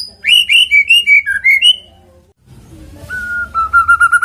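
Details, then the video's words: Used as a lure for a white-rumped shama, this song begins with a string of bright whistled notes, falls quiet, then ends on a long level whistle. "PANCINGAN MURAI BATU AGAR GACOR CEPAT BUNYI"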